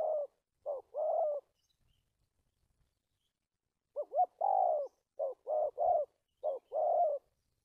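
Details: Decoy spotted dove used in trapping, dated 1/3/19, delivering stammering coos with two or three brief starting notes before a sustained mellow coo. One phrase is followed by a long pause, then a denser run of phrases.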